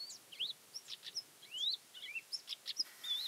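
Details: A Thekla's lark (Galerida theklae) near Castro Verde, Alentejo, Portugal, on 12 April 2017 sings a quick, varied run of clear, fluty notes, with slurred rising and falling whistles and short chirps; quiet background.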